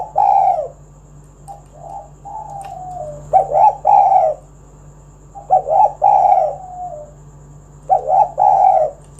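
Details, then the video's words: Spotted dove cooing in soft, hoarse phrases of a few notes, the last drawn out, repeated about every two to three seconds over a steady electrical hum. "Tekukur Kuk 1 Gacor Suara Panggilan Burung Derkuku"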